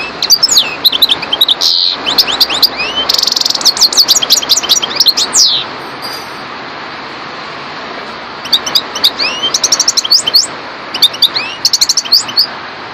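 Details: European goldfinch (parva) singing in two bursts: fast liquid twittering with downslurred whistles and a buzzy trill, a pause of about two seconds, then more rapid high tinkling phrases.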